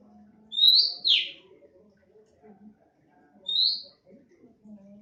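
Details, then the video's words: Oriental magpie-robin in natural, unaltered song. Two clear, loud whistled phrases, the first sliding down at its end, then another rising whistle after a pause, over a faint murmur of background sound. "KACER NEMBAK SUARA ASLI ALAM"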